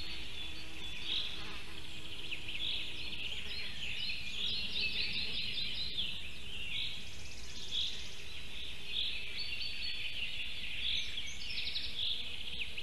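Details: Black stork chicks in a nest at Gemenc, Hungary, fed by the returning female at 7:17 am on 29 May 2018, from a live nest camera; raspy, wheezy bursts repeat throughout over steady background hiss.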